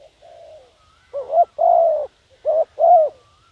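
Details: Decoy spotted dove cooing to draw in wild doves. A soft drawn-out coo gives way to two loud phrases, each a short hooked coo followed by a longer rounded coo.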